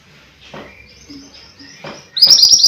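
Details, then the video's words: After soft, faint background notes, a mountain white-eye bursts into loud, busy song at the end: quick, high, rising chirps tumbling over one another. Recorded as tutoring or lure material for this bird. "Burung MANTENAN GUNUNG Gacor"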